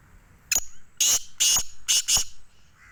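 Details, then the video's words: Black francolin in Sindh, Pakistan: one short harsh note followed by four loud, rasping notes in quick succession over about two seconds, with only a faint background hiss between them. "Kala Teeter"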